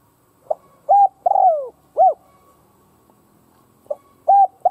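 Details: Decoy spotted dove cooing to rouse other doves: two phrases of low coos, each with a short lead note, a level coo, a drawn-out descending coo and a clipped arched ending, separated by about two seconds of quiet.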